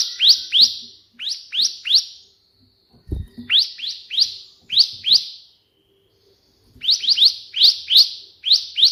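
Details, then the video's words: Bar-winged prinia delivering 'tembakan' burst song in white-prinia style, meant as a tutor recording: repeated clusters of sharp, high, upward-flicking notes in rapid bursts, with one dull knock partway. "burung ciblek gacor versi tembakan perenjak putih"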